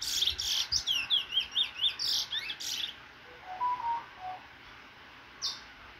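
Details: A cage-bred chestnut-bellied seed finch (Trini bullfinch), almost out of molt, September, sings a quick, bright warble of sweet sliding notes for about three seconds, then softer low whistles and a last high chip; Chestnut-bellied seed finch.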